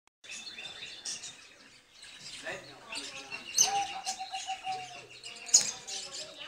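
Crimson rosella giving sharp, scratchy chatter with a few bright chirps and one long, level whistle, amid busy background bird twittering and faint voices.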